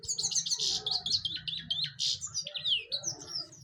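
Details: Goldfinch song in a quick, tinkling stream of chirps, short buzzy bursts and downslurred whistles, with a soft low hum underneath.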